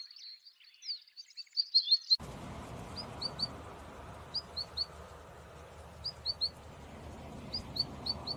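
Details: High twittering from a Siberian long-tailed rosefinch, then quick groups of three sharp chirps repeated roughly every one and a half seconds over a steady background hiss.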